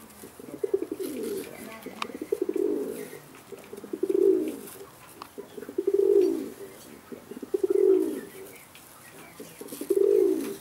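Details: Fancy Indian Fantail pigeons, a domestic breed, recorded in Alkmaar, Holland; deep throaty cooing phrases rising and falling, about six bursts in ten seconds, with light rustling and clicks between calls indoors.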